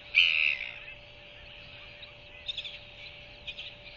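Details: Begging royal albatross chick, newly hatched, at an evening feeding by its mother on 21 January 2023: one loud, high, scratchy squeal followed by soft clusters of brief peeps, over a faint steady hum.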